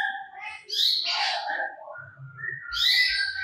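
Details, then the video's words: Cucak cungkok in full song, pouring out stored mimicked material. It was recorded as training audio for cage songbirds. The phrases are varied and loud, with high chirps and slurred notes, plus a few low-pitched short sounds. "Burung Cucak Cungkok Gacor Muntahkan Materi Yang Di Simpan"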